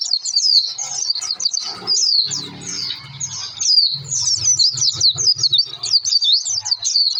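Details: Oriental white-eye lure song used to make birds sing, a lively, high-pitched twittering stream of rapid whistles, accompanied by a low humming drone and soft clicks in the background.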